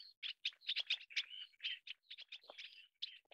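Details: Taiwan Yuhina, an endemic Taiwan bird, during chick feeding: soft, rapid jumble of short chirpy notes, roughly two per second, with buzzy overtones and no long pauses, heard faintly and at some distance.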